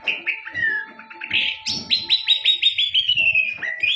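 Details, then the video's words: Orange-headed thrush singing: varied clear whistled phrases, then a fast descending series of repeated sweeping notes, ending in a rising whistle; a steady faint tone runs underneath. "Burung Anis Kembang"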